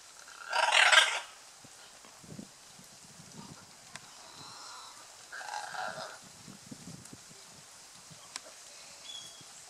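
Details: Courting scarlet macaws on the Osa Peninsula, Costa Rica, at Playa Blanca, La Palma: a loud grating screech near the start and a second, softer harsh squawk several seconds later, with quiet rustling between.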